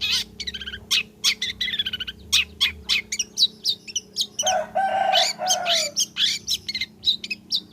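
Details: Long-tailed shrike (cendet) singing in full voice, a recording meant as a lure to get other shrikes singing: rapid chattering burst of sharp, varied high notes, with a harsher, lower nasal phrase midway, then more quick chips.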